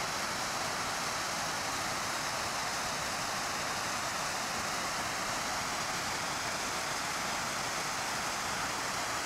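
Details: Continuous broadband rushing, like a waterfall or fast stream, fills the recording evenly with no animal call standing out.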